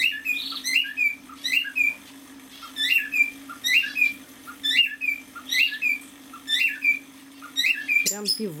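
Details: Male cockatiel, half a year old, sings a series of bright whistled phrases, each a short rising-and-falling figure, repeated about once a second, ending with a wavering lower sound over a steady indoor hum.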